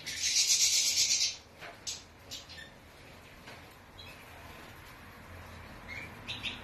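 A European goldfinch gives a dense, buzzy, high twittering burst of about a second, followed by a few faint, scattered high notes over quiet background hiss.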